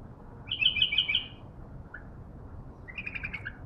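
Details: Young captive bulbul still in training, responding when a wild bulbul approached: a bright rapid run of repeated whistled notes, a brief pause with one soft note, then a second similar trilled phrase, low hum behind.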